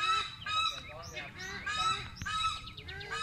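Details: Wreathed hornbill kept at Phnom Tamao Zoo's wildlife rescue center in Cambodia, giving harsh, nasal honks in quick bursts, some rising then falling, over faint background hum.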